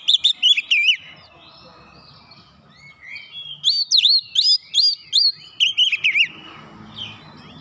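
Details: Oriental magpie-robin song meant to rouse a lazy bird: rapid runs of bright, looping whistled notes in two dense bursts, separated by a quiet pause with faint rustling.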